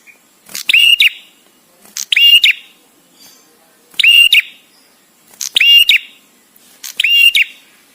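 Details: ['Visiting male bar-winged prinia, for master training, with pauses between phrases. Five loud, sharp, overtone-rich whistled notes come evenly spaced about every one and a half seconds.']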